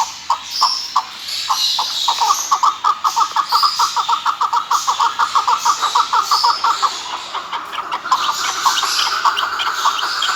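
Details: Chukar partridge, described as a national bird, giving a long run of rapid, clipped chuk notes, about three per second, that speed up and blur into a dense chattering series before easing into a steadier rhythm, with faint background hiss.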